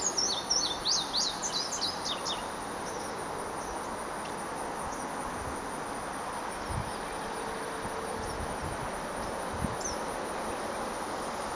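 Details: Indigo bunting recorded on July 1, 2009 from the boardwalk near the pond at Ocmulgee National Monument. High, quick sweeping notes come in paired bursts during the first two seconds, then fade under a constant high insect buzz.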